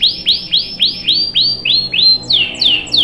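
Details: Canary long-roll song used for tutoring young canaries: loud repeated downward-sweeping whistled chirps, about four per second, rising slightly in pitch and quickening near the end.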